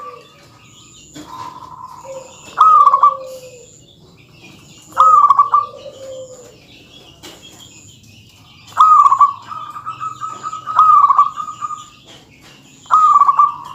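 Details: Local zebra dove in dense, energetic song meant to rile opponents. Repeated rolling coo phrases with stuttered starts mix with lower, longer humming coos, some phrases running into long sustained tones.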